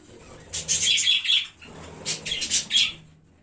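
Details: Colony of pet budgerigars on 1 January, two bursts of rapid, buzzy chirps laced with short whistled notes, separated by a half-second gap.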